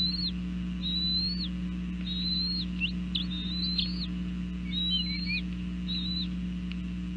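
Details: Bald eagles at a nest in northeast Florida at breakfast time in the morning: thin, high whistled notes, some rising and falling, given in short clusters of chatter, over a steady low electrical hum.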